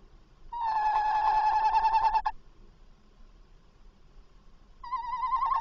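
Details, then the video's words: A tawny owl visits its nest box at 21:45 on 27 August 2024, calling on arrival. A long, steady, hoarse note of about two seconds is followed by quiet, then a second wavering call begins. "Bosuil Roepend in de nestkast"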